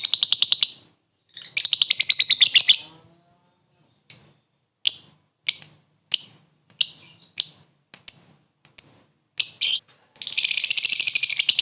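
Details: Lovebird's short laughing ngekek call for luring, aimed at a rival: rattling bursts of shrill notes, a run of scattered single chirps, then a harsh dense chatter at the end.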